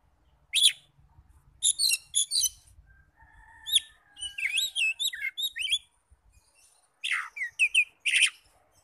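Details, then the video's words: Lure song of an Oriental magpie-robin meant to excite other magpie-robins into singing: loud high chip bursts, then a run of looping upslurred whistled notes, ending in rapid sharp chirps, with faint low rumble early on. "PANCINGAN NAIKAN EMOSI KACER 100% IKUT NYAUT NGEPLONG"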